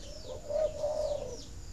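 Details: Spotted dove cooing, a sound used to stimulate egg-laying in breeding doves: one low, drawn-out, steady coo with a slight swell in the middle, lasting about a second, over faint background hiss.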